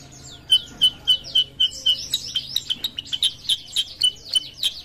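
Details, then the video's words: Sooty-headed bulbul, a kutilang sutra in full voice, gives rapid bright chip notes about four per second, steady throughout, with a wash of thin downslurred whistles behind them. "KUTILANG SUTRA GACOR"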